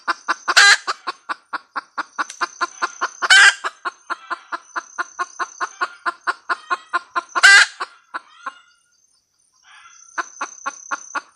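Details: Female red junglefowl cackling: a steady run of short clucks, about four a second, broken by three loud harsh squawks, then a brief pause before the clucking resumes; a thin steady high whine runs in the background.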